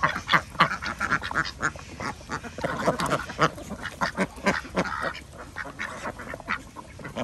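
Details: Flock of farmed ducks calling at feeding time on an organic village farm in Andhra Pradesh; rapid, irregular nasal quacks overlap continuously, with several birds calling at once.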